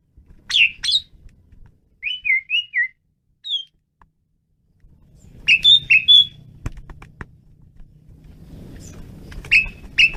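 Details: Asian pied starling singing energetically: short bursts of clear, high whistled and slurred notes, a pause, then a further cluster of sharp whistles, with a low background rumble in the second half.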